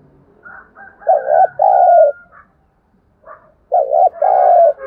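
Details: Two coo phrases from a spotted dove used as a lure to stimulate other birds, each a short dipping note and longer falling coo, with faint chirping and light background rumble.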